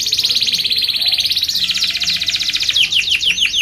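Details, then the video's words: Canary singing as a training and lure song: a long, fast buzzing roll held steady, turning at the end into a short run of sharp downward-slurred notes. "kenari gacor panjang SUARA BURUNG KENARI ampuh buat MASTERAN KENARI & PANCINGAN KENARI"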